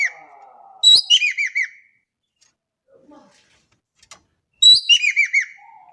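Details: A Javan kingfisher from Indonesia, in a recording made as a lure, gives two loud calls about four seconds apart. Each is a sharp rising note leading into four quick, harsh, falling arcs. Between the calls there are faint clicks and soft whistles.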